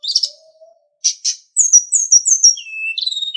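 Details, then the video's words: Sunda bush warbler singing on a training master for captive birds: a short chirp and a low soft whistle, two harsh bursts, then a run of high sliding whistles ending in falling notes. "Masteran Terbaik Sulingan | Song 2"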